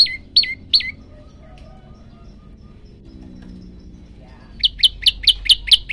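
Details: Prenjak lumut, hungry and in full voice, gives three quick piercing notes, falls silent for several seconds, then bursts into a fast run of about seven high chipping notes at the end.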